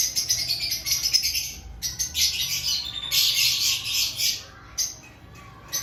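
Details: Pre-breeding-season lovebirds in an aviary producing dense, continuous shrill chattering, loud high chirps swelling in the middle, then a few isolated sharp notes near the end.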